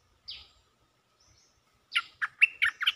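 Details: Mating call of a cream-vented bulbul: a thin high note, a pause, then five loud, throaty bubbling notes in fast succession.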